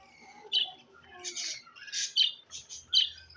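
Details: Green parrot giving short harsh chirps and squawks, about five bright bursts spaced roughly half a second apart, with faint softer chatter between them in a quiet room.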